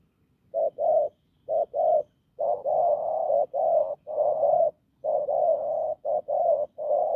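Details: Wild-caught spotted dove giving a hoarse, strong coo: short low hooting notes run into longer drawn-out ones, about a dozen notes in irregular groups over seven seconds, with quiet background.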